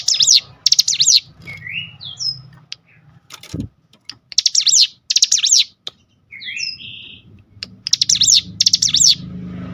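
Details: Cinereous tit stirred to sing by a lure recording. Bursts of high, buzzy, rapidly warbled phrases alternate with short upslurred whistles, and a brief thump is heard midway.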